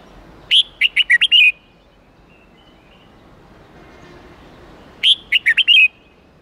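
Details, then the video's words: Song of a red-whiskered bulbul in the 8-9-10 note wild style, used to teach chicks: two phrases of a high opening whistle plus five rapid chirps, with a long gap between them. "Luyện Chào Mào Hót Giọng 8-9-10 Ép Chim Non Học Giọng Chuẩn Rừng"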